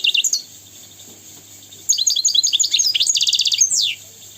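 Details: European goldfinch tutor song for young goldfinches and canaries. A brief chirp, a pause, then a lively run of quick tinkling notes ending in a dense buzzy trill and a falling slur.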